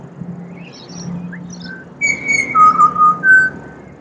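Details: Wild pied butcherbird in Australia serenading with a melodic song: after a quiet start, a long high whistled note, then a lower pure fluted phrase and a higher closing whistle, over a low background hum.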